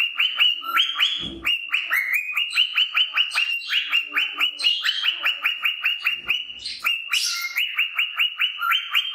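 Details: Cockatiel male, a happy and content pet bird, singing his favourite "Wiko Wiko" song: fast runs of bright, rising whistled notes repeated several times a second, with a few harsher chirps mixed in.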